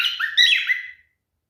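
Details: Male cockatiel during mating behaviour giving a single harsh, buzzy chirp about one second long that sweeps up and down, then silence.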